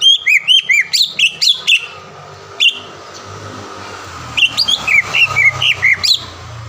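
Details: Green leafbird song used as a lure for a rival bird: a rapid series of whistled arcs and chirps, a single whistle, then a second, slower run of looping whistled notes over faint low hum.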